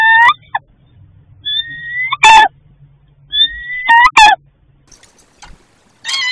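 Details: Female barred owl on her nest at night begging for food from her mate, who later brings a field mouse: harsh, nasal squeals mixed with thin rising whistles, in bursts about every two seconds; faint low hum underneath.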